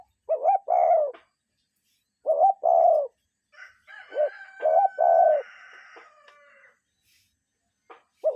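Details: Cuckoo calling in the wild, a two-note cu-coo with the lower second note falling, given three times at uneven gaps. Another bird holds steady whistled tones between the calls.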